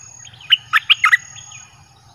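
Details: Red-whiskered bulbul in a cage, its song used to call wild birds: a brief phrase of five loud, bubbly chirped notes over faint low background hum.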